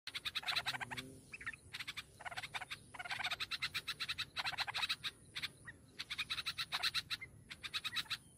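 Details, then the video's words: Hungry nestlings begging while their mother feeds them in the nest: dense bursts of rapid, harsh, buzzy chattering repeated in clusters, with a steady high whine throughout. "Baby Birds Very Hungry | Mother Feeds Babies in The Nest"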